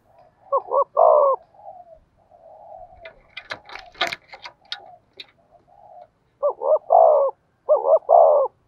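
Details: Decoy spotted dove cooing in the 'thổ' voice style. Phrases of two short hoots and a long throaty coo are heard at the start and the end. In the middle, clattering and knocking noises sound over soft murmuring.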